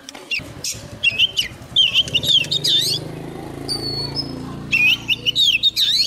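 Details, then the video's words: A young Oriental magpie-robin sings vigorously as a wild bird approaches, giving repeated bursts of quick, looping whistles and chirps, with a low engine hum running underneath. "Choè than non lên hót cực sung khi bổi đến gần"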